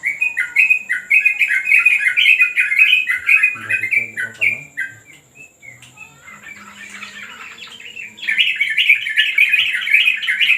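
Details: Yellow-vented bulbul in a training session on a terrace: rapid bubbly chattering phrases of short warbled notes, a brief pause midway with a low human voice beneath, then the lively chatter resumes.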